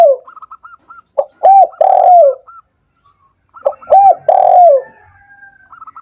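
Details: Spotted dove call used to stimulate doves that are lazy and have stopped singing: two cooing phrases, each a short note followed by two strong, deep, downward-curving coos, with faint thin chirping notes from another bird between phrases.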